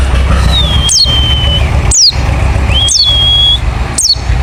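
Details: White-eye of the wild type, pleci ngalas, calling to draw others to answer: long level high whistles alternating with steep falling high notes, about one each second, over a steady low background hum.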